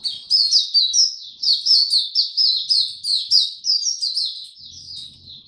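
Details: Tiong aw style song from an Oriental white-eye, 25 January 2022, after a late night's sleep: a steady run of bright, high twittering notes, each dipping in pitch, about two per second, then tapering quieter.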